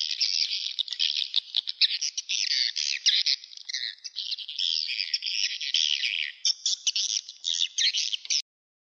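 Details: Swiftlet lure sound played from a speaker at a swiftlet nest house: a dense, continuous high chatter of buzzy twitters and rattling chirps, packed closely together with no pauses.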